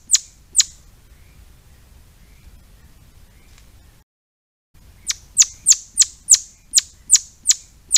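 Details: Two shrill falling chips from a Swinhoe's pheasant, then a quiet pause and a brief gap, followed by a rapid run of about ten sharp descending notes, roughly three per second.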